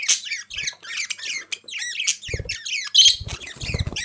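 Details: Lively budgerigar chattering, a fast series of buzzy, downward-curving squeaks, with low thumps or flutters now and then.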